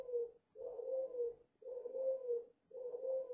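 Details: A five-month-old dove coos fiercely in low, hollow, rolling notes, each about a second long, repeated back to back with brief pauses; nothing else is heard.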